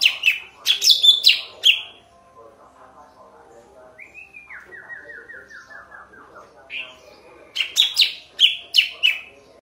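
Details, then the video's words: Sooty-headed bulbul, praised for a clear, thick-toned voice: an energetic burst of sharp chirps, a pause, a soft falling series of stepped notes, then another lively chirping phrase. "Burung Cucak Ranting Suara Bening Power Tebal - Tiếng chim thanh tước hay"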